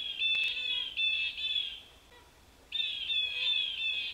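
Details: Blue jays in the Cornell Lab feeder garden pond area, Ithaca, 3 Nov 2022, sounding the alarm at a perched Cooper's Hawk: harsh, rasping jeer calls in two bursts of several notes, with a short quiet gap between them.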